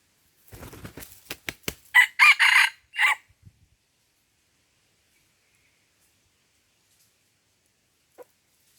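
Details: Red junglefowl at Lamteuba, Aceh, during trapping with a decoy: a few sharp clicks, then a loud, harsh, broken crow in three or four strong bursts lasting about a second, followed by near silence.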